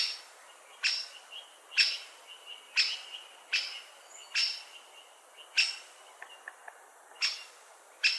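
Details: Great spotted woodpecker giving sharp, explosive single 'kik' notes, about nine in eight seconds at uneven spacing, with a faint thin whistled tone from another bird between them.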